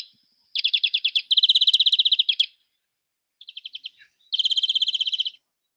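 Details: Greenfinch song from a garden-bird identification lesson: rapid trills of quick repeated high notes in several bursts, with short pauses between phrases.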